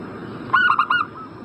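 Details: Zebra dove lure recording for prompting a bird in breeding condition to answer: one loud, quick phrase of four ringing, clipped cooing notes, slightly falling, over steady background hiss.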